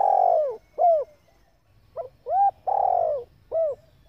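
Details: Female spotted dove cooing to rouse males. A long, slurred, downward coo and a short arched note, then a quick pip, a rounded coo, another long buzzy falling coo and a closing short coo, all low and resonant.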